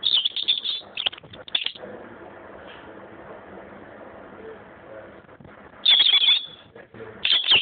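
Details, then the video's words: Very tame lone European robin living in a garden centre, singing high, thin, twittering phrases at the start and again near the end, with a quiet indoor hum between. "A singing robin"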